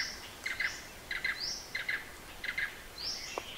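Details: A blue-eared barbet in Hala-Bala Wildlife Sanctuary, far southern Thailand, gives short paired notes, repeated about every two-thirds of a second, with thin rising whistles from another bird above.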